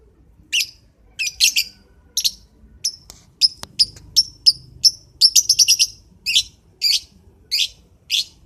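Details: Lovebird in the morning giving short, sharp chirps in irregular bursts, some single and some in quick clusters of four or five, with quiet pauses between.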